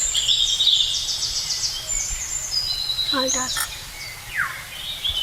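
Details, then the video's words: Parakeets calling loudly in a forest in West Bengal, India, near tree-hole nests that may hold chicks, give shrill, screechy high calls in quick bursts, one harsh call sweeping downward near the end; a man talks briefly. "এখানে টিয়া পাখি আছে, এই যে টিয়া পাখি কান্না করছে, হয়তো তোমরা শুনতে পাচ্ছ।"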